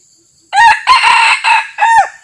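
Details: A wild Red Junglefowl cock, a local resident approaching quietly toward a decoy cock, crows once: a loud clipped four-part crow under two seconds, shorter and harsher than a farmyard rooster's, ending abruptly.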